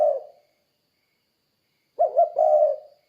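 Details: The end of one dove coo fades out. After a pause, a full spotted dove phrase follows: two quick, bouncy coos, then a long, smooth, low coo. The calling is meant to lure other doves into calling.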